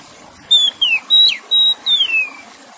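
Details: Clear whistled song of an Oriental magpie-robin, five separate high notes, flat or falling in pitch, the last a long downward slide, against a soft steady hiss.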